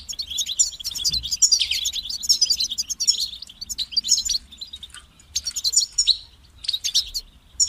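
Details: Goldfinch song: dense bursts of bright, high, tinkling twitters and liquid trills in phrases about a second long, separated by brief pauses, over a faint low hum.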